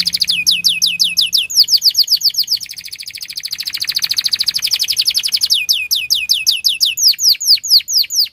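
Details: Canary in full song, a long continuous run of rapid repeated downward-slurred chirps merging into a fast rolling trill and back into quick sweeping notes, bright and high-pitched throughout.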